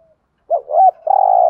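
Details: Decoy spotted dove calling to attract wild doves, one phrase with a brief rising-falling warble followed by a long, steady, slightly pulsing hoot.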